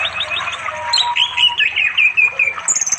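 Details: Orange-headed thrush calling a female to mate on an afternoon by a flowing river in remote village forest in East Java, recorded on Android; rapid, varied whistled and warbled notes tumble in quick succession, with a steady low hum beneath.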